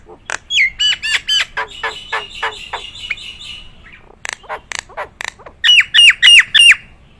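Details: Nias hill myna, a trained competition-style bird, singing loud varied phrases: clicks and harsh notes, then a series of bright whistles sliding downward, repeated rapidly in a row.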